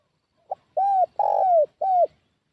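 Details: Lure recording of a spotted dove for attracting wild doves: a faint short note, then three smooth cooing syllables, the longest in the middle with a grainy texture, all sliding downward at their ends.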